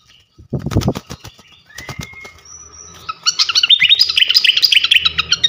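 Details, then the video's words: Champion flycatcher (srikatan kipas) singing loudly in a training recording: wing flaps and low thumps at first, a few thin whistles, then a dense, rapid, scratchy twittering chatter from about the third second onward. "gacoan ngeplong masteran asah mental burung jawara khas srikatan kipas"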